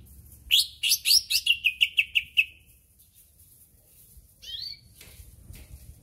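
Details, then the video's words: A captive greater green leafbird from Berau, being prepared for singing contests, sings a loud, rich burst of varied notes running into about seven quick repeated chirps, then one brief rising-falling whistle. "Cucak Ijo"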